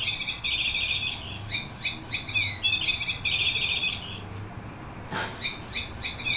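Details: A 15-year-old yellow canary, a senior whistler, sings a bright, rapid song of trills and rolling phrases, high and continuous, with short pauses and a low hum behind.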